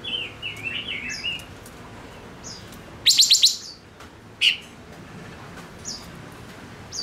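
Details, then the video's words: Male decoy silver-eared mesia opening with a quick series of whistled, descending notes. A rapid rattling burst of high chirps follows, then a single loud call and scattered thin chirps. "Chim ngũ sắc mồi hót cực hay kích bổi nhanh nổi | chim ngũ sắc hót | ngũ sắc trống"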